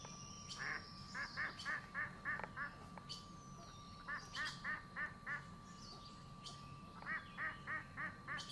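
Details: Geese at a lake, calling in quick bouts of short nasal, harmonic notes, about three to four per second, with pauses between runs; thin bird chirps above and a steady tonal hum throughout.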